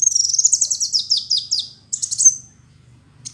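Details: Male sunbird (Kolibri Wulung) in full song: a very high, thin twittering with quick descending and sweeping notes run together for two seconds, then a brief sharp trill.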